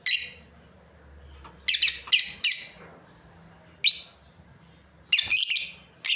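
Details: Breeding pair of lovebirds with piercing, buzzy chirps in short clusters separated by quiet gaps of a second or more; a low murmur underneath.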